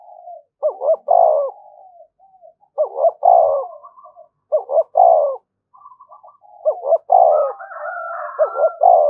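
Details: Decoy spotted dove calling continuously to provoke fighting: low, throaty two-part coos repeated four times over nine seconds, each a short stutter then a longer rolling croo, with softer wavering notes between phrases.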